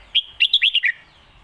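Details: A single clear phrase of lak wai style master song from a Red-whiskered bulbul: one bright whistled note, then five quick, loud notes sliding up and down in a cheerful tumble.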